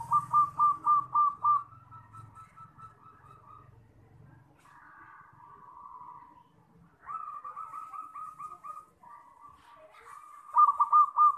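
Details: Zebra dove, a champion local bird, kept for training a young bird: bursts of rapid, evenly spaced mellow cooing notes near one pitch, pauses between phrases, then a sustained trill and a final loud run of notes; a low hum underneath early on.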